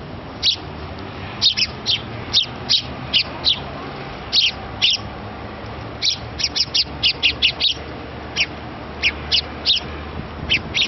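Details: Small sparrow chick pleading with its parents for a meal as they feed it; bursts of shrill, clipped chirps, often doubled or tripled, repeated irregularly every half second to second, with a faint background drone.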